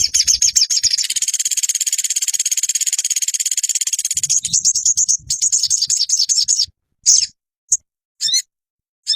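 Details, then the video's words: Olive-backed sunbird song used to train caged birds to sing: a long, high, rapid trill that breaks up into scattered sharp chips and short buzzy bursts separated by silences. "Dalam hitungan menit burung sogonmu ikutan gacor dan ngeleper"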